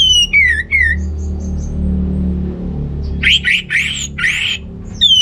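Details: Orange-headed thrush song for stimulating males with low breeding drive: descending whistled notes, a pause, then clustered loud rich notes and a final clear whistle, with low background hum.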